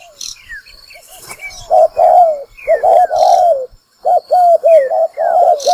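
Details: Spotted dove call, used as a lure for trapping birds: mellow, low cooing phrases delivered in grouped bursts with short pauses, accompanied by faint higher whistled sweeps from other birds in the background.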